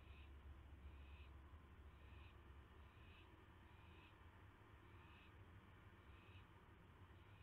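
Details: At night on May 9, 2016, an owl being given a mouse on a live camera makes rasping, breathy screeches, about seven evenly spaced bursts, with constant low-frequency hum underneath.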